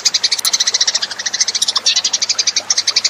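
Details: Rapid, steady stream of high chirps from Eurasian tree sparrows, a lure call of close-set notes repeated many times a second without pause.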